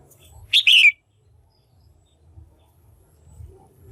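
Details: Female red-whiskered bulbul, kept in a cage, giving a call used to excite males or to pair: a brief double chirp, sharp then slurring downward, followed by quiet with faint low background hum.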